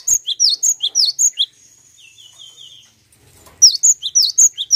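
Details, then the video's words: High, rapid chirping of a cinereous tit, used as a lure to make other birds sing, in two bursts separated by a thin, level whistled tone. "Pancingan Gelatik Batu Langsung Bunyi!"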